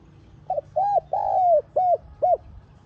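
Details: Spotted dove phrase used for luring wild doves: a soft opening note, an arched coo, a long downslurred coo, then two crisp arched notes, clear against faint low background noise.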